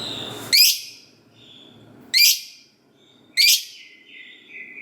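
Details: Lovebird calls used as a prompt for other lovebirds to sing: three loud, piercing, downward-sweeping shrieks about one and a half seconds apart, with faint softer notes between.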